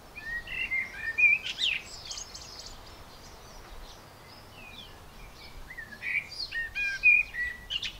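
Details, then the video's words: A blackbird sings two unhurried phrases a few seconds apart, each a low fluted warble breaking into a high, squeaky twitter, over a faint outdoor hiss. "Blackbird Singing"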